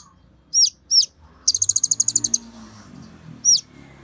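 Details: An olive-backed sunbird (kolibri ninja) sings excitedly to stimulate other sunbirds. Two high down-slurred whistles lead into a rapid, even trill of about twelve notes, then a single whistle after a pause.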